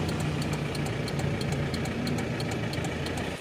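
A steady low engine idle rumbles throughout, with a faint, even high ticking repeated several times a second and no animal voice.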